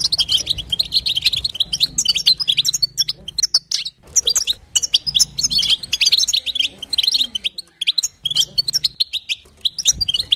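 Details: Batbata calls of a female European goldfinch, used to set a male singing: rapid high chattering phrases of several seconds each, separated by brief silences around four and eight seconds.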